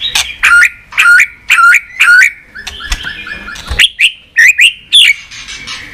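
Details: White-rumped shama clicking continuously to spur other shamas: loud click-and-whistle phrases repeated about every half second, a quieter stretch, then more clicked whistled phrases.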